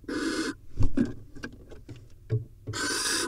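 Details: Israeli barn owl nest camera during a vole delivery and mating: two rasping hissed screeches frame a stretch of soft thumps, clicks and shuffling movement in the nest.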